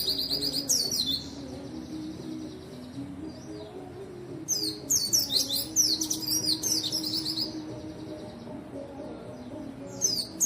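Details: White-eye in full song, meant to prompt reluctant white-eyes into singing: loud bursts of fast, high, squeaky twittering phrases at the start and in the middle, separated by a quieter stretch, with a steady low droning hum behind.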